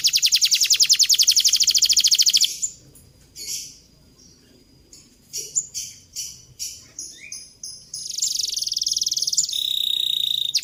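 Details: Canary song used as a model for young canaries learning long rolls: a dense high rolling trill, a quieter gap with scattered chips and short notes, then the fast trill resumes.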